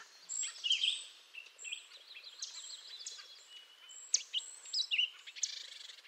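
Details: Grey jay (Canada jay) giving a run of quick, high chirps and short whistled notes, loosely spaced, with some thin sustained tones and faint background hiss.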